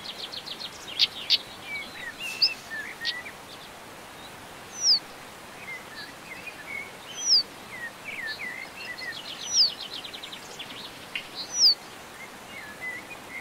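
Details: Common stonechat recorded in the Montes de León, Spain, in May 2019: sharp high clicking notes spaced every two to three seconds, with soft chirps and chatter between, over a steady hiss of outdoor noise.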